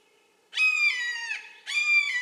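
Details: Red-shouldered hawk calling: two loud, harsh, drawn-out screaming notes, the first about a second long and slightly falling, the second starting after a brief pause, both rich in overtones, with faint background hiss.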